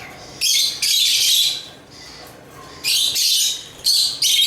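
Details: African lovebirds giving loud, grating chirp bursts of about a second each, separated by quieter pauses.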